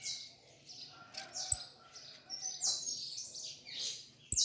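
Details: Saffron finch singing quietly: soft, high buzzy slurred notes in a loose sequence, with a couple of sharp clicks.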